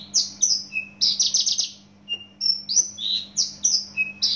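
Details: Javan bush lark, native to Java, delivering a fast, near-continuous stream of high, sharp whistles and slurred chirps with brief lower notes mixed in, a steady low electrical hum underneath.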